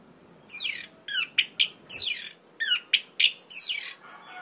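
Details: Orange-headed thrush used to provoke other males, giving loud descending sweeping notes alternating with short sharp chips, the pattern repeated three times in quick succession over a faint hiss.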